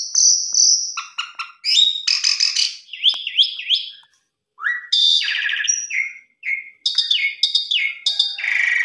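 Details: Asian pied starling in full varied song, played to push a reluctant or stressed starling to sing: long whistled note, then rattling chatter, buzzy trills, rising slurs and harsh bursts, one brief silence midway.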